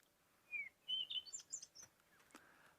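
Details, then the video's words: A Cape Robin-Chat call, played back from a phone: a short run of clear whistled notes stepping up to higher, thinner phrases, with a faint outdoor hiss behind. "This is the Cape Robin's call."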